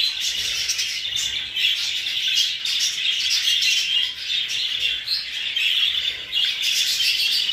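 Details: Massed chatter of English show budgies, exhibition and hogoromo varieties, a bright continuous twittering with short sharp chirps rising above the flock.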